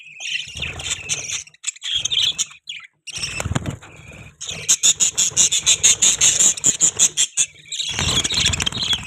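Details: Pet budgerigars chatter in scratchy high notes, then a run of rapid, evenly pulsed chirps, about two or three per second, before the warbling resumes over faint low background noise.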